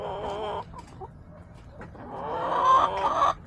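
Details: Backyard chickens filmed on March 30, 2024, with hens giving harmonic, wavering clucks and drawn-out calls in two loud bursts separated by a quieter stretch of scattered short notes.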